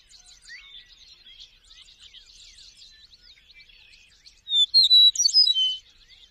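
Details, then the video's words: Eastern meadowlark sweet song: about four seconds of busy, soft twittering from other birds, then a loud burst of clear whistled notes forming a short phrase near the end. "Eastern Meadowlark bird sweet song"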